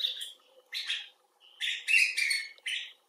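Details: Common bulbul (Pycnonotus barbatus), rescued or wild, making expressive talk: separate short, burry chirps, a soft whistled note, and then a rapid cluster of slurred calls.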